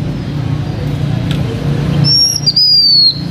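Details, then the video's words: H'Mông lure bird, a blue-winged minla, delivers a single loud whistled phrase near the end, short rising note then a long slurred falling note, after a stretch of low rumbling background. "Khướu lùn cánh xanh hót mồi"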